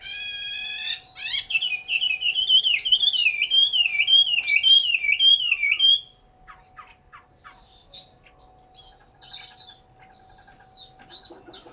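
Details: Chinese hwamei in a cage in Hanoi, Vietnam, opening with a stuttered note, then six seconds of continuous wavering whistled warble, followed by softer chips and short high whistles, with a constant low hum.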